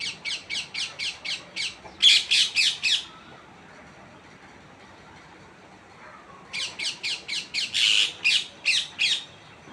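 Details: Rapid bursts of short, grating squawks from a tree parrot. Two runs of about ten calls each, some louder and broader, are separated by a few seconds of quiet steady hiss.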